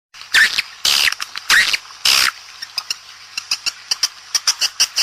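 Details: Swiftlet mating call, an outdoor calling sound for attracting swiftlets: four loud, harsh buzzy bursts in the first two seconds, then a quicker run of short, sharp clicking chirps, several each second.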